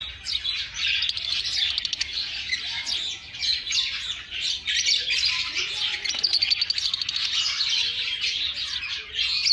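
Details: Lovebirds in nature, a dense continuous chatter of many high, sharp chirps and squeaky twitters overlapping throughout, with brief rapid trilled bursts standing out here and there.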